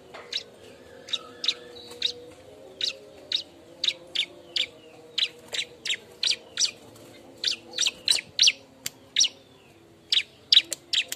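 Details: Bar-winged prinia calling busily in search of a mate: a steady stream of high, sharp chip notes about three per second across the whole stretch, with a faint low hum beneath.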